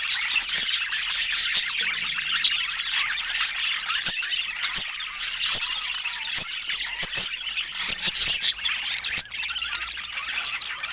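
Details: Pet budgies keep up lively high-pitched chattering, a busy mix of twitters, squawks and whistled squeaks, punctuated by frequent sharp clicks, going on unbroken for about eleven seconds.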